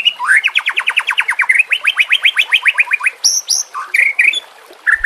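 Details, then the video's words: Shama song for training captive birds, full combination fill: a rapid rattling trill of about twenty-five rising strokes, followed by a couple of sharp high notes and short whistles. "pancingan murai batu TERBARU FULL ISIAN KOMBINASI"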